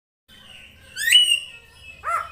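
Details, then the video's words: Female drongo calling to lure a male into singing: a thin whistle sliding upward into a loud, buzzy, rising note held steadily, then a short burst of downward-curving whistled notes at the end. "SUARA BURUNG SRIGUNTING BETINA UNTUK MEMANCING SI JANTAN AGAR CEPAT GACOR"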